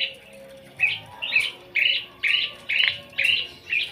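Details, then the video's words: Starling in front of a house delivering loud, harsh chattering notes in short bursts, repeated roughly every half second against a faint background hum. "KICAU JALAK DEPAN RUMAH"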